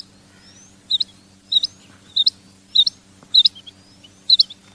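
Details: Female quail calling: short high squeaky double notes repeated about every 0.6 seconds, six times, over a steady low electrical hum.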